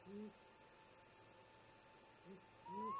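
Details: Early-morning exchange between great grey owl parents at a snag nest, around 04:25: a couple of deep low hoots separated by a pause, then a higher rising whoop over a final hoot.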